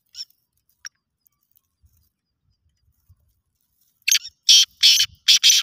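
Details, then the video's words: Competition calling of a black francolin, the chakri call: a couple of faint scattered notes, then after about four seconds a loud, rasping phrase of four or five clipped, buzzy notes. Low rumbles are faintly heard. "Kala teetar ki awaz ka muqabala, black francolin voice competition, Kala teetar ki chakri ki awaz."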